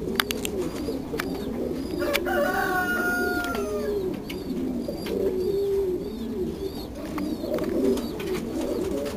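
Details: Frillback fancy pigeons, blue, giving a steady low rolling coo throughout, with a brief higher whistled tone sliding downward early on, plus faint clicks and taps.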